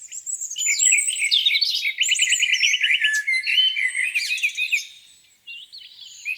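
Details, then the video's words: Birdsong at a lake on a spring morning: a chorus of high twittering, a fast even trill near the middle, descending whistles, fading to quieter distant notes at the end. "Singing birds, beautiful lake view on a spring morning."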